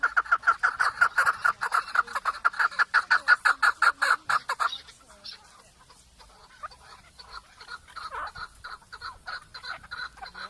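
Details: Chukar partridge calling in a loud, fast, rhythmic series of chuk notes for several seconds, then breaking off into quieter, rapid chattering clucks.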